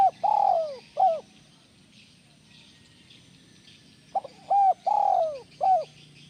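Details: Spotted dove cooing, used as sound therapy to make other doves call actively. Two series of short clipped notes leading into rounded coos and one long sliding coo, with a quiet gap between them and a soft insect hum behind.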